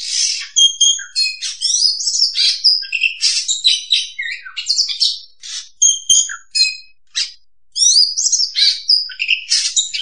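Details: Oriental magpie-robin (kacer) lure song for trapping: a long, rapid medley of whistles, chirps, slurs and harsh scratchy notes, with one short pause midway.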